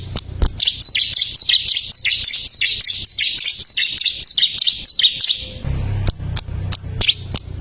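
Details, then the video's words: Song of a bar-winged prinia, recorded as a singing model for caged birds: a long, rapid series of high chirped notes with a buzzy edge that lasts about five seconds, then a low hum and sporadic clicks. "ciblek gacor masteran handal"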